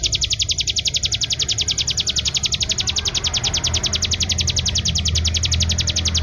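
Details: A captive bar-winged prinia (Prinia familiaris) sings a long, fast, high-pitched trill of even buzzy notes, about eight a second, over a low background rumble.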